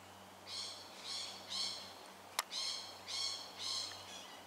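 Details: Lorikeet made nervous by a nearby tiger snake in suburban Melbourne, Australia, 13 October 2019: six fairly faint, harsh, buzzy screeches about every half second, with a sharp click midway and a low steady hum beneath.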